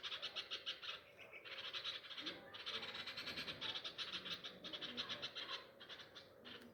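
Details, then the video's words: Grieving nightingale after a cat took one of its three to four newly fledged chicks near a home garden nest; dense, scratchy churring notes pulse rapidly in long runs with only short gaps. "Behaviour of Nightangles After Loosing Chick | Birds Cry For Lost Chick"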